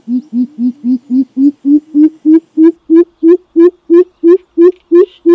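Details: A greater coucal, in a lure recording for the species, gives a long series of deep, hollow hoots, about three per second, creeping slightly higher and louder as the run goes on.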